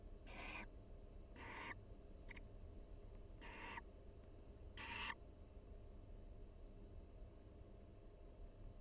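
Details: Breeding-season barn owl pair chatting softly inside a University of Florida nest box during mutual preening; five brief rasping hiss-like bursts in the first five seconds, one very short, then quiet with only faint low hum.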